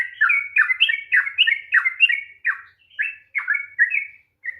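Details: Yellow-vented bulbul in long rapid 'ropel panjang' style song, used as a lure to provoke a reluctant bird into singing; bubbly, gurgling chuckled phrases repeated in quick bursts of four to five notes, short pauses between, clean quiet background.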